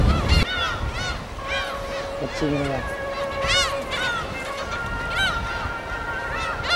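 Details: Gulls calling at their breeding colony on an uninhabited island in Korea's West Sea, recorded on site: repeated arched, wailing cries overlapping from several birds, with a low steady rumble of waves and wind beneath.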